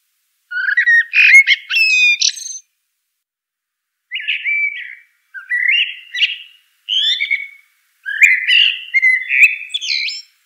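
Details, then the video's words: Common blackbird song, a rich caroling series of mellow whistled phrases separated by pauses of a second or more, each phrase warbling and ending in thin high squeaky flourishes; no other sounds. "Bird Song - Common Blackbird"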